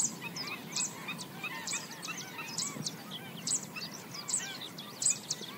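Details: Black-winged stilts foraging along the banks of a swamp keep up a busy stream of sharp, high yapping notes, several birds calling over one another, with softer chattering calls beneath.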